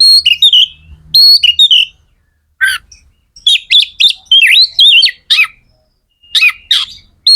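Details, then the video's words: Magpie-robin, locally kacer, singing energetically to excite other magpie-robins: bursts of bright whistles, harsh scratchy notes and fast warbled phrases separated by short silences. "Suara kacer gacor"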